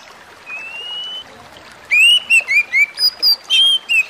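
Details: Oriental magpie-robin (kacer) song used as therapy audio for stressed birds: a long thin whistle, a pause, then a run of loud clear whistled notes, some slurred downward, others stepping higher, in quick uneven succession.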